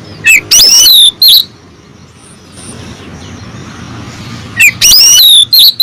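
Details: Female oriental magpie-robin calling a male: a few sharp, sliding whistles, a long quiet stretch with faint hiss, then another short burst of high whistled notes.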